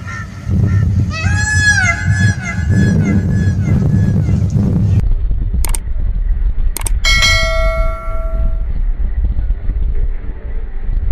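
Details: A crested male Indian peafowl in Rajasthan, India, gives a single loud, nasal, wailing call that rises and falls. Heavy low rumbling, sharp knocks and a later ringing, bell-like tone sound in the background.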